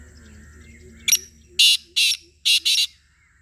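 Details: Black francolin (Francolinus francolinus) call: one short note, then four harsh, grating, high-pitched notes in quick pairs, over a faint whistle and hum.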